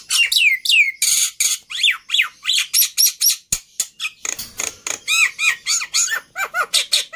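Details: Black-winged myna song: a dense, varied run of sharp chirps, falling whistled slurs and harsh squawky bursts, delivered in quick, uneven succession about three to four notes per second, with high hooked notes repeated near the end.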